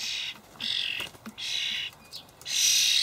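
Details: Young common starlings pleading for food from parent birds in a Hamburg allotment garden in May 2012; three long, raspy, hissing screeches, the last one loudest.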